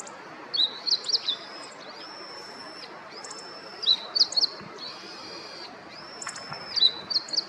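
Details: Meadow Bunting song: short bursts of high chirped notes repeated about every three seconds, with long, steady, high whistle-like tones between phrases, possibly another sound, over a quiet outdoor background.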